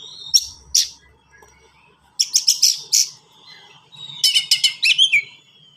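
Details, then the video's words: Kacer, the Oriental magpie-robin, in fast, varied song: two sharp high notes, then a rattling series of five quick chips, a pause, and another rapid burst of harsh repeated notes ending in a falling whistle. "KACER GACOR SPEED RAPAT FULL ISIAN"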